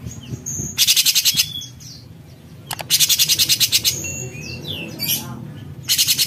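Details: Bulbul known locally as cucak cungkok giving its harsh rasping besetan: loud buzzy bursts of rapid pulses, each about half a second long, separated by quieter gaps with thin high whistled notes.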